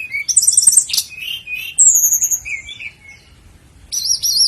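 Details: High-pitched song of a flycatcher called sikatan londo, meant as training material for caged birds: sharp repeated chirps, a bright trill, a descending whistle and wavering high notes, separated by a short near-silent pause.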